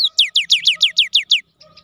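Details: Cinereous tit, a gacor gelatik batu used to coax silent birds into song: a tight burst of eight strong, downslurred whistled notes in quick succession, then soft chirps from another bird.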